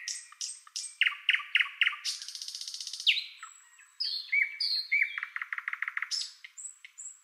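White-eared bulbul giving a lively run of bright, chattering notes: quick descending chirps, a buzzy trill, then rapid repeated whistles, fast and varied.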